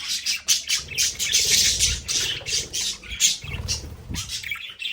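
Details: Home budgerigars in their play area make fast busy chirping and scratchy twittering, many short notes packed closely, with low thumping and fluttering sounds underneath.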